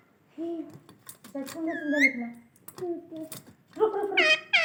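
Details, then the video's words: Rose-ringed parakeet (Indian ringneck parrot) calling everyone: high, childlike, speech-like chattering phrases with a rising squeak near the middle and shrill, harsh squawks at the end. "ringneck Indian parrot calling everyone"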